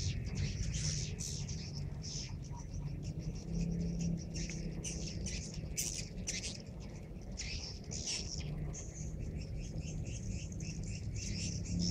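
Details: Many swiftlets flying into a swiftlet house in Subang as the call to prayer ends; dense, continuous high twittering and chittering from numerous birds, with steady low hum beneath.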